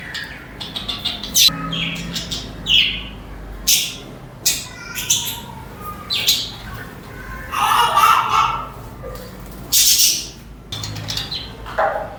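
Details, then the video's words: Several budgerigars sing and chatter together: a busy mix of short bright chirps, warbling squeaks and bursts of scratchy chatter overlapping in quick, irregular succession. "The Soul of a Budgie | Peaceful Chirping Sounds to Soothe the Mind"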